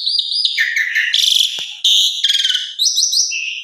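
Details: Asian pied starling lure song packed with varied fill-in notes: high whistled phrases give way to loud harsh buzzy bursts, then rising and falling whistles near the end.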